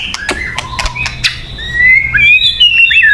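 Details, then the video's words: White-rumped shama song meant for luring: a few clicks and short chips, then bright rising whistles and quick looping notes growing louder toward the end. "Suara Burung Murai Batu yang paling baik untuk pikat"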